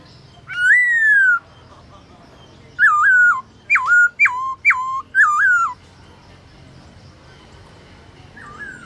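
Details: Forest-voice song from a kept black-throated laughingthrush (Garrulax chinensis) at midday: one long falling whistle, a pause, then a run of five short wavy whistled notes, ending with a faint call.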